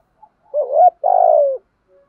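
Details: Male and female spotted doves coo to rouse kept birds. A single low phrase: a quick wavering rising note, then a longer burred coo that slides gently downward, in a quiet background.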